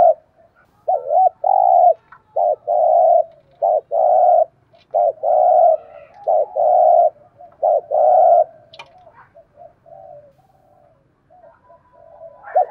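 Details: Decoy spotted dove calling to lure others, giving a run of loud, steady mid-pitched coos in quick succession for eight seconds, then trailing into soft faint notes.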